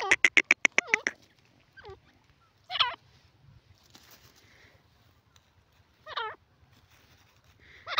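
A francolin gives a fast burst of about eight harsh, grating notes, then shorter raspy calls every few seconds over a low background hum.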